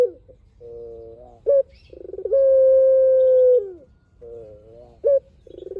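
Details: Long-voiced song of a puter, the Barbary dove, repeated twice. Each phrase has a wavering low coo, a short sharp note, a rolling burr, then a drawn-out steady coo that falls away at its end.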